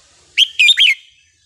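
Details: Red-whiskered bulbul of the counting-flower line in wild-style song, a loud three-part phrase: a rising whistle, a sustained bubbling note and a falling warble, about half a second long in a quiet setting.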